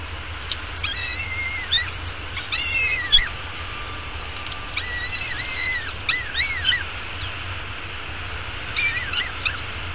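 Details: Peregrine falcon eyas at a downtown Arizona nest cam, taking breakfast at 9:28 am on 24 May 2016; scattered short, quavering harmonic calls come in small clusters amid a persistent low rumble.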